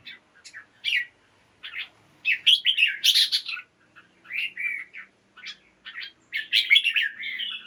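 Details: Red-whiskered bulbul kept in a cage, morning song used to stimulate other birds: separate bursts of lively, slurred chirping phrases with short silences between them, a few higher sharp notes mixed in, little background noise.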